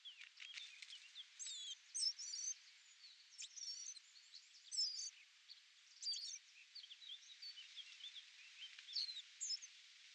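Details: Eurasian blackcap at nesting time, with parents feeding hungry young in a hedge: scratchy, twittering warbled phrases come in bursts every second or two, mixed with short whistles and a few clicks early on.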